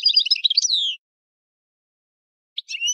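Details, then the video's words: European goldfinch giving a quick tinkling twitter that ends in a falling slurred whistle, then a short chirp and more twittering after a pause; clean recording. "Chant du Chardonneret"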